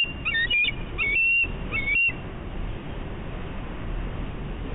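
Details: At a nest on Catalina Island, California, on 11 March 2016, a bald eagle on high alert gives three bright, slightly wavering whistled notes about half a second apart, then falls quiet against steady low rumble.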